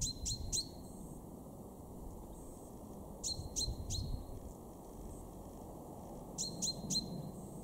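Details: Male common chaffinch calling in a garden in Weener, far northwestern Germany, in March 2023: three clusters of two or three sharp, clipped, falling notes with short tonal tails, spaced about three seconds apart.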